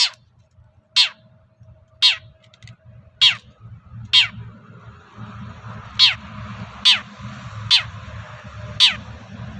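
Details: Long-tailed shrike giving rasping provoking calls so other shrikes will answer: harsh downward-sweeping notes repeated about once a second, with a faint hiss of background noise rising midway.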